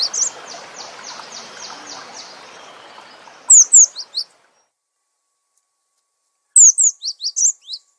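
A cinereous tit gives a run of quick, high chipping notes, then two short bursts of bright, sliding whistled phrases with pauses between. A low background hiss fades out early.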